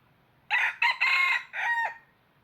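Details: Red junglefowl decoy cock crowing for trapping: four clipped, raspy syllables, the third longest and the last a sustained, slightly falling note, all within about a second and a half, with a clean, quiet background.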